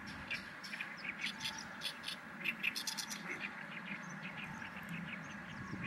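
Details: Oriental reed warbler, a summer visitor on a riverbank in the breeding season among many others, sings a loud, harsh, chattering stream of grating "gyo-gyo-shi" notes. Other small birds chirp in the background over a steady low hiss.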